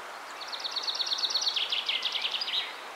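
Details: A common chaffinch (Fringilla coelebs) sings a bright, rattling run of notes that falls in pitch and ends in a quick flourish. After singing, it came down to feed on the ground, flew off and sang again.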